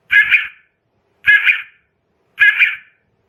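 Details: Night-time quail call used as a lure for trapping quail: three hoarse double-note bursts, evenly spaced about 1.2 seconds apart, in an otherwise silent background.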